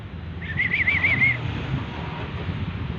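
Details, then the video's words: Captive black-capped lory that talks, calling "mama"; one wobbling, trilled whistle lasts about a second, then only low background hum and faint human voices remain. "BURUNG NURI BISA BICARA - PANGGIL "MAMA...MA...MAMA""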